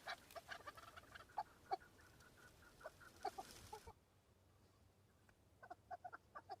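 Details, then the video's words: Male chukar partridges on Bamo mountain, fighting and displaying for females in the breeding season, give short, clucking chuk notes in loose bursts, with a brief quiet gap midway before the calling resumes. "Chukar partridge fighting -Chukar call"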